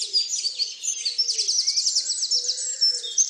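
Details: Dawn chorus of several birds at Tophill Low nature reserve near the main hide picnic table, recorded 30 March 2019; overlapping high twittering, rapid trilled phrases and whistles, with a low hum underneath.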